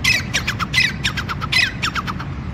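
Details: A male grey francolin calls with loud, harsh, squeaky notes in quick repeated bursts, about two or three per second, over a low background rumble.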